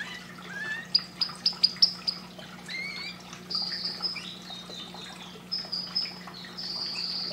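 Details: Canary song meant to encourage breeding: a series of sharp, loud high clicks opens, followed by sustained piercing whistles, quick downslurs and long high trills, with a steady faint low hum beneath.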